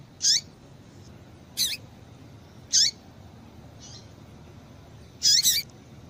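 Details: Female double-collared seedeater calling to stimulate a male to sing: sharp, high chirps that sweep down at the end, five notes spaced irregularly, with a soft faint note between them and a quiet background.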